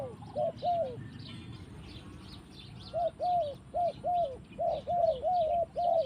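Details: Spotted dove in forest, a pair of low arched coos, a quiet gap of about two seconds, then a steady series of similar rounded coo notes, while other birds twitter faintly and high overhead.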